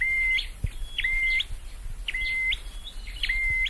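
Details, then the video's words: Song of a caged Scarlet-headed flowerpecker being trained: sharp rising chirps, then a clean, even whistle, repeated roughly every second, with occasional low knocks in the background. "Deep red-headed birds(Dicaeum Trochileum): Birds thoroughbred training for singing chirped"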